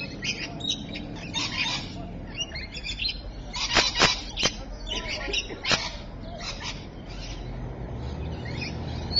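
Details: Rainbow lorikeets at Evans Head on 26 May 2012, mid-afternoon: harsh, screechy chattering calls in dense overlapping bursts, loudest around the middle, with a few sharp high shrieks and steady background noise.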